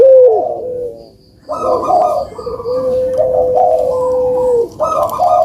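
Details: Puter dove song meant to prompt reluctant birds to call: a long, steady, drawn-out coo layered with rougher rolling coos, one brief pause early on.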